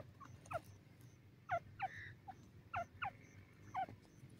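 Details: Grey francolin, called teetar or dakhni teetar, from South Asia's fields; sharp descending whistled notes given singly and in pairs about once a second, with low rumbling background noise.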